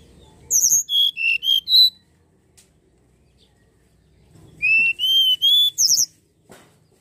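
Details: Common iora song used to lure birds into singing: two phrases of about six clear whistled notes stepping down in pitch, the last notes rising, separated by a quiet pause.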